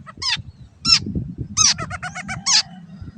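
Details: Cendet, the long-tailed shrike, singing as a master for caged birds: sharp downslurred squeaks followed by a quick rattling series of short notes, low rumble behind.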